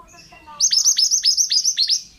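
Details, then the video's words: Pied bushchat male in full song for training other birds: around eight bright, high notes in quick succession, each with a sharp downward slur, after faint soft chatter at the start. "BURUNG MANTENAN GACOR"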